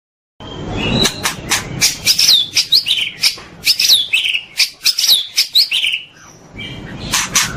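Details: White-rumped shama in a master recording of pastol-style song for training caged birds: sharp clicking notes mixed with short upward-curving whistles, delivered in quick irregular bursts, then a brief pause.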